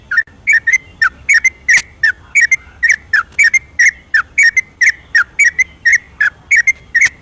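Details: Night-time ropelan song of a yellow-vented bulbul, played to prompt lazy or silent birds to sing: a steady run of bright, bubbly whistled notes, rising and falling, roughly one per second in tight doublets, over a quiet low rumble.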